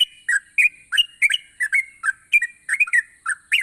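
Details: Energetic yellow-vented bulbul song: a fast, uneven stream of bubbly, slurred whistles and chirps, several notes each second, over a continuous high thin whine.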